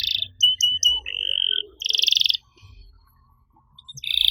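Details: Master song of a canary, played to stir other canaries that have stopped singing: short piping notes and a held whistle, a brief buzzy roll, then near quiet before a final buzzy burst.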